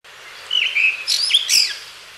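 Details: Blue rock thrush (Monticola solitarius) voice taken from a reference call library: a clear whistled phrase that dips and levels, then quick higher, sharper chirping notes climbing steeply, all over quiet background hiss.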